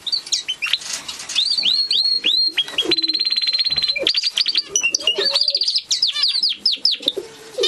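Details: Gloster canary singing a loud continuous song of quick upslurred whistles, a long fast buzzy trill of rapid repeated notes, and rolling chattered phrases, with little background sound.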